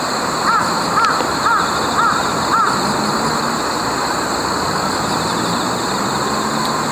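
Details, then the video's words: Two Jungle Crows (large-billed crows) call to each other from the leafy top of a Lombardy poplar in Japan in mid-September 2018, giving five hoarse, arched caws, about two a second, over steady low traffic rumble, before flying off over a river. "Jungle Crow Pair Calling on Poplar Treetop"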